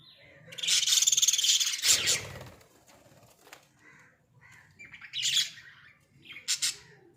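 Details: Pet budgerigars in a small cage: a loud harsh squawking burst, then softer twittering notes and two short scratchy outbursts later on.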